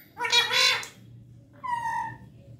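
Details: Pet parrot giving one drawn-out, raspy, voice-like squawk, then after a pause a smooth, clear tonal whistle lasting about a second.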